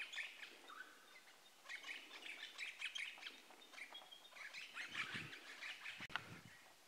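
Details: Two crimson rosellas, possibly a male and a female, one putting on a show (mating dance), in the Australian bush in spring, trade bursts of chattering, twittering mid-high notes with brief pauses, a faint rustle and a thump near the end.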